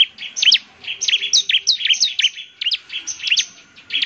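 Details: Bar-winged prinia (ciblek), a lively singer used to make other prinias answer: rapid series of sharp, high chirped notes sweeping down and up, repeated about three per second in a continuous chattering burst.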